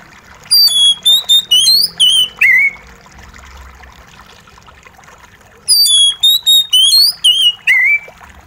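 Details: Oriental magpie-robin singing, mixed with trickling water as a remedy for a stressed bird that has gone quiet: a rapid string of sharp, high whistles that ends in a falling slur, repeated after a pause.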